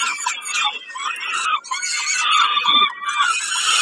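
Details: Peregrine falcon during a snack at Kawęczyn on 20 May 2022: choppy, rasping screeches repeated in quick uneven bursts, loud and shrill.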